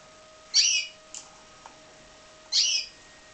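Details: Captive-raised pied Timbrado canary giving two strong, buzzy, high chirps two seconds apart, with a small faint note in the gap and a constant background hum.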